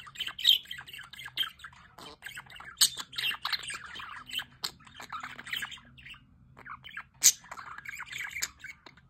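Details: Budgerigars by a solar water fountain, chattering in dense warbling runs with scattered squawks, a short lull around six seconds, then a loud shrill call and more twittering.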